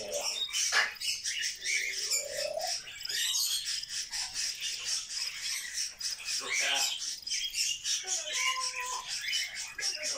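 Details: Pet grey parrot in nonstop talk, producing a stream of hoarse, speech-like words and clicks, a rising vowel-like sound, and a brief flat whistled tone late on.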